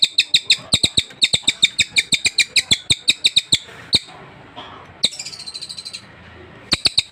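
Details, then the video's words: Fresh arrival, a caged Sultan tit, singing eagerly: a quick series of high, ringing chirps breaks off near the middle, resumes as a softer and faster burst, then returns strongly at the end. "Burung Sultan baru dapat langsung gacor"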